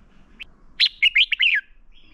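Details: Red-whiskered bulbul fighting song used to train birds: a single brisk phrase of one sharp note then four warbled whistles, dropping at the end.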